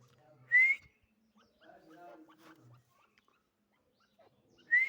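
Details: Female grey francolin calling: two short, clear whistled notes, each sliding quickly upward, spaced about four seconds apart, with faint low hum and soft background murmurs between them.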